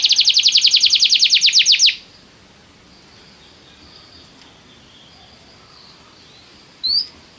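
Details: Canary song meant to get a canary singing: a two-second burst of rapid, evenly repeated trill notes, then near-silence with faint background hiss and one lone rising chirp near the end.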